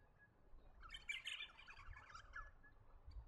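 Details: Eastern rosella from the New England region of NSW, Australia, a bird of woodlands, parks and gardens; a dense burst of high, bright chattering and twittering notes lasting about a second and a half, over a low background rumble.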